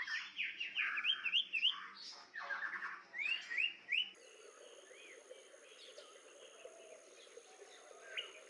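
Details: A wild sooty-headed bulbul sings bright, liquid rising and falling whistles for about four seconds. Then a steady high insect-like drone continues over faint background noise.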